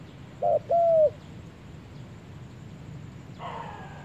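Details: Spotted dove, said to be on its first trip to the forest, giving a short low coo followed by a longer steady coo, then falling quiet over a soft rural background hum.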